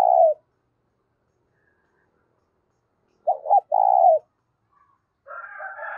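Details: Spotted dove calling to stir up decoy doves, a strong clear voice: the tail of one coo, a pause, then a full phrase of two short low notes and a held coo, followed by a buzzier higher bird call.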